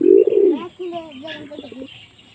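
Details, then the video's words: A pet pigeon, raised by hand from a young chick and said to come when called, gives a loud, low, throaty coo, then a softer wavering, bubbling trail; a voice may be heard faintly. "শিকারি কবুতরের রহস্যময় ডাক"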